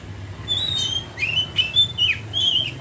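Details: A short ngeriwik passage by an Oriental magpie-robin, a thin sustained whistle followed by quick slurred notes rising and falling, with low background hum throughout.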